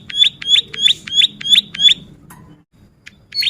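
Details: Bar-winged prinia singing as a tutor and lure recording: six sharp, high chipping notes in even succession about three per second, a short gap, then one more note, over faint low rumble.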